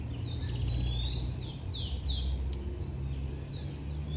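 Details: Blond-crested woodpecker at its nest in a garden: a run of loud, high, downward-slurred whistled notes alternating with flatter whistles, over a steady low rumble.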